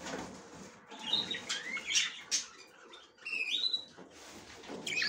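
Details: Female budgerigar checking the nest for the first time. Quick chattering warble of rising and falling whistled slurs and chirps, with scratchy rustle and a steady low background hiss.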